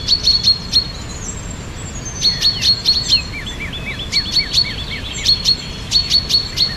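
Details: Loud, close birdsong in spring: bursts of sharp high chirps repeated in groups, alternating with lower, falling whistled notes, over a faint background hiss.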